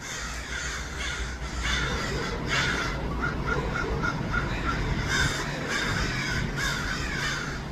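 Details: Lots of crows in Los Angeles give scattered rough caws, broken by a short run of quick, clearer clucking notes, all over a continuous low hum of background noise.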